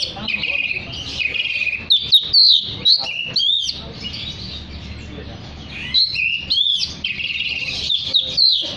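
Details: Oriental magpie-robin song meant to draw other magpie-robins into singing: bursts of loud whistled and warbled phrases with quick upslurs, a quieter gap in the middle, then another lively burst of varied notes over low hum.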